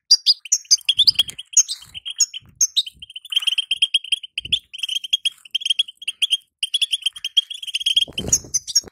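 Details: European goldfinch female's call, played to excite a caged male into singing: rapid high twittering with short tinkling notes, repeated bursts of bright chirps, a few brief clicks and knocks in between.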